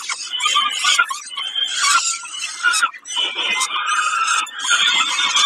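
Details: Peregrine falcon at Kawęczyn, 20 May 2022, during a snack: loud, harsh, rasping squeals in long bursts with a short break near the middle, steady and strident throughout.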